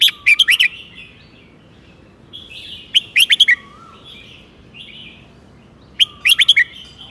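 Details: Golden-voiced red-whiskered bulbul teacher bird in southern 'mae bot tai' song style, giving three rapid bursts of liquid whistled notes about every three seconds, with soft warbling between phrases and a faint high hiss behind.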